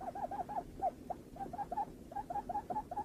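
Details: Lineated barbet: rapid series of short, hollow hooting notes, each slightly rising then falling, delivered in quick runs of three or four with brief gaps, steady and evenly pitched throughout.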